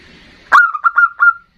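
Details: Local zebra dove in ndudut-variation song used to call a rival: one loud opening note followed by three quick, level cooing notes within about a second, ending in silence.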